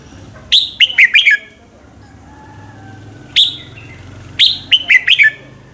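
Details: Red-whiskered bulbul morning song for training birds to sing: three phrases of quick, sharp slurred whistles, four notes each in the first and last, a single note between, over a low steady hum.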